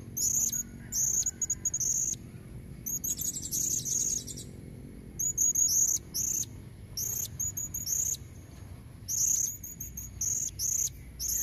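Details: Natural recording of a female blue-crowned hanging parrot luring red-necked males: short bursts of thin, high squeaks and buzzy trills, roughly every second, with quiet gaps between.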